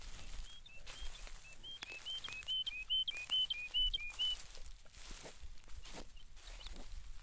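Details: A Woodlark sings in the background at Krasny Bor, Belarus, on 18 March 2015, near a newly released bison herd: a liquid, slightly descending run of about fifteen quick, soft whistled notes over four seconds, against a steady hiss.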